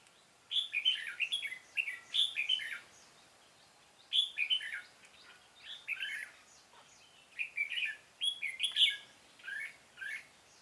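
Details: Red-whiskered bulbul used as a decoy, giving its fighting song while trapping on 13 March 2017; loud, clear warbled phrases in three bursts of about two seconds each, separated by short silences.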